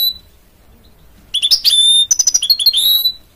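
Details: A goldfinch mule, a hybrid of goldfinch and canary, starts after a second of quiet with fast sharp chirps. A rapid rattling series and a long, high, clear whistle follow.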